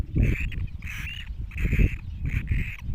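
Great cormorant chicks give four harsh, nasal squeals about every half second, steady in pitch, over heavy low wind rumble.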